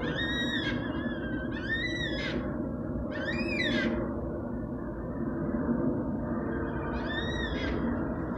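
Yellow-tailed black cockatoo giving four long, wailing, slightly rising calls, a few seconds apart, over a steady low rumble of wind or distant traffic.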